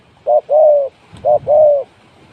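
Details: Spotted dove used as a trapping decoy, giving a low cooing phrase: a short coo then a longer level coo, repeated twice over about two seconds, with faint background noise.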